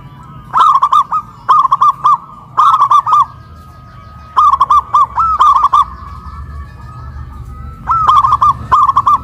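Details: Hoisted caged zebra doves in Kuningan, West Java, giving loud, full song after being raised up a pole. Six repeated bursts of staccato ringing coos, each of four to six notes, coming steadily about a second apart.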